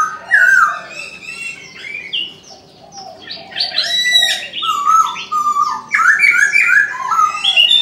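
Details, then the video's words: Chinese francolin calling at dawn: a loud rasping opening note, then bursts of grating, stepped syllables repeated in several phrases, mixed with high thin chirping from other birds. "Chim đa đa gáy sáng"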